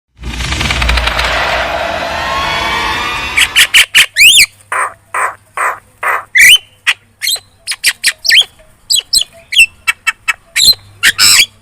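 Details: Javan myna lure song, very chatty, meant to make other birds answer; a burst of broad hissing noise for about three seconds, then rapid harsh squawks and sharp rising whistled notes in quick succession.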